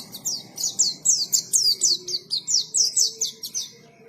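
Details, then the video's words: Lively white-eye song ('gacor ngalas'): a steady string of high, descending chirps, each quick and sharp, evenly spaced about four a second over a soft background hum. "KICAUAN BURUNG PLECI GACOR NGALAS"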